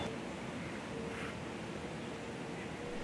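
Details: Steady surf-like rushing noise with wind and a faint low hum, no animal calls.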